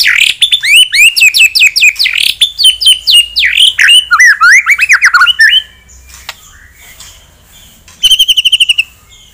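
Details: Energetic white-rumped shama song aimed at angering a rival: a long, dense stream of rapid varied whistles and slurred notes, a pause with soft clicks, then a quick burst of repeated chips.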